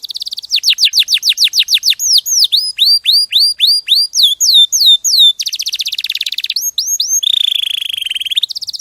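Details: Canary from a champion training recording: rapid descending whistles, then a run of rising hooked notes, then a dense buzzing roll and a low, steady warbled trill at the end.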